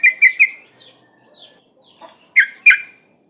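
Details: Breeding female trucuk bulbul calling males: three quick liquid notes at the start, a pause with faint chirps, then two sharp emphatic notes near the end.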